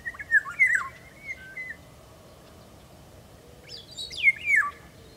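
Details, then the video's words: Eurasian golden oriole song, recorded in 2017: fluty whistled phrases that slur up and down, given twice in the first two seconds, then a brighter, higher whistled phrase near the end, over a steady low background hiss. "Žluva hajní"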